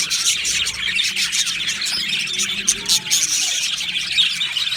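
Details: Aviary-kept Australian budgerigar flock producing a steady, high twittering chorus of quick chirps and squeaks, a few louder individual notes popping out of the continuous chatter.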